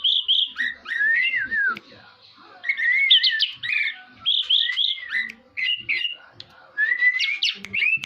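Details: Orange-headed thrush singing in the classic teler style: a varied run of clear whistled phrases, rising and falling, some looping and slurred, delivered in bursts separated by brief pauses.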